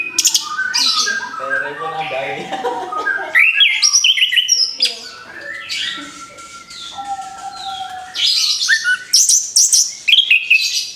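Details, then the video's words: Orange-headed thrush just out of its moult, in song: a rich, varied stream of loud whistles, trills and slurred chirps, with sudden shifts between high and lower phrases and brief quieter passages. "TERAPI ANIS KEMBANG BARU LEPAS BULU, SIAP BUKA PARUH LAGI"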